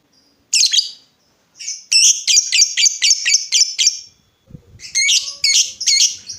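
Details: Lovebird chirping, used as a lure to get other lovebirds to answer. Bursts of harsh, high, clipped chirps come in quick groups, with short silences and a low knock between them.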